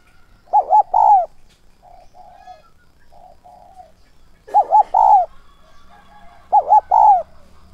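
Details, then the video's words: Decoy spotted dove meant to lure wild birds, giving 'thúc' and 'gáy gọi' calls in a 'son' voice. Three loud coo phrases, each two short arches and a drawn-out descending note, separated by quiet, low murmured cooing. "Chim cu gáy mồi giọng SON chuẩn THÚC và GÁY GỌI kích bổi nhanh nổi hiệu quả"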